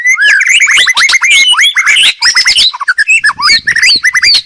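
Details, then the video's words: Loud, energetic song of a white-rumped shama intended for training birds: dense, fast sequence of sharp rising whistles, harsh chips and rattling notes, nearly continuous throughout. "burung murai batu paling gacor masteran keras.. dan ampu.."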